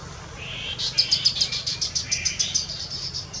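A Chestnut-capped babbler gives a fast series of high, clipped notes, about three or four a second, over a thin rising buzz and faint low background hum.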